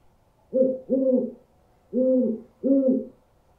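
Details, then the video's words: Owl calling in a bird-scaring track: a quick double hoot, a pause, then two more hoots, all low, level and mellow with a soft overtone. "Owl Sounds To Scare Birds"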